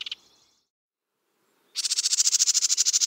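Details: House Wren song, a species present in Illinois from spring to fall: a short sharp note, a pause, then a fast buzzy trill of about ten notes a second, high-pitched and rattling, stumbling before stabilizing.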